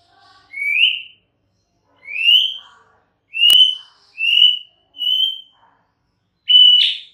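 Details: Six separate rising whistles from a white-rumped shama, each short and sweet, spaced one to two seconds apart, with a sharp click midway.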